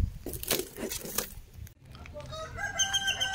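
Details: Rooster crowing on a Sunday at a family farm near the village of El Roble, goats kept nearby; after noisy rustling and voices, a harmonic, rising crow begins in the second half.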